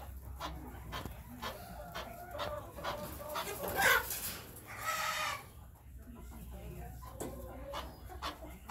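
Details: Chukar partridges raised this year, kept in batches for breeding next spring or for butchering, give repeated throaty clucks in an uneven series. A brief rushing noise comes midway, with faint human voices.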